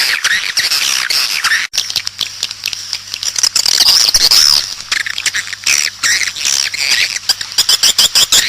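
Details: Outdoor recording of a swiftlet mating call meant to draw in swiftlets: continuous, busy high twittering and buzzy chirps from many birds, with a steady low hum underneath.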